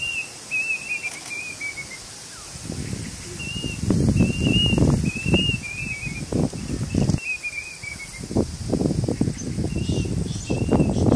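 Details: A plaintive cuckoo (Cacomantis merulinus) calling during Cyclone Yaas gives thin, high whistled phrases that slur downward, repeated every couple of seconds, over heavy rumbling gusts of wind.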